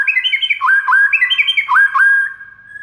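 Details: White-rumped shama tutor song used to make other shamas respond: rich whistled phrases of quick rising and falling notes, with the pattern repeated twice and ending on a held tone.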